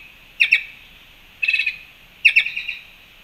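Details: Black-chested jays at a fruit feeder in Panama, recorded March 2, 2021: three bursts of harsh, clipped squawks, each of two to five notes in quick succession, over a quiet background.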